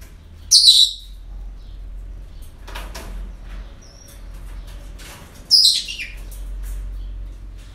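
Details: Breeding-centre parrots on an ordinary day: two shrill, raspy screeches about five seconds apart, with clattering knocks like a door or cage in between and a faint whistled note.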